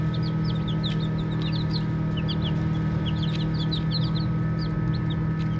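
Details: Several baby chickens at play chirp with soft, high, clipped peeps arriving in irregular clusters, set against an unbroken low mechanical hum.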